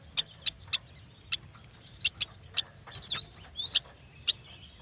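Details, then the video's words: Yuhina, also known as prenjak batu, singing. Sparse short high ticks are spaced irregularly, interrupted midway by a few louder sweeping whistled notes, then more isolated ticks. "Suara burung yuhina paling istimewah"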